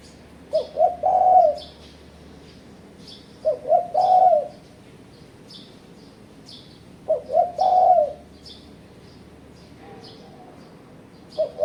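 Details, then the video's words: Spotted dove calling as a rival-challenging lure for bird trapping. Two quick low coos lead into a longer sustained coo, with the phrase repeated roughly every three and a half seconds over soft, high twittering from other birds. "Suara Burung Terkuku Menekan Lawan Ampuh untuk Pancingan"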